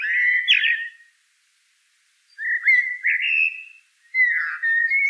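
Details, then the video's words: Eurasian blackbird singing three separate fluty, whistled phrases around a mid pitch, each warbling and sliding briefly, with clear silent pauses between phrases and no other sounds. "Eurasian Blackbird Call Song Sound"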